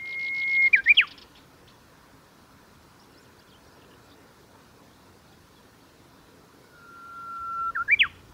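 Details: Two full songs from a Japanese bush warbler, recorded 23 July 2021 at the Kita-Fuji training area, Japan. Each is a sustained pure whistle ending in rapid looping notes, about seven seconds apart, with quiet surroundings between them.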